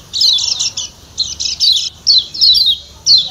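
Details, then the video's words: A Lombok white-eye's 'ciak ciak' calling: dense clusters of high, scratchy chirps alternate with quick downslurred double notes, broken by brief pauses. The background stays quiet. "Ciak Ciak Kecial Kuning"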